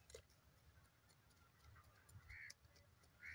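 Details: Grey francolin (teetar) calling: two short, harsh, bright notes of even pitch stand out near the end over a steady low rumble and faint background ticking.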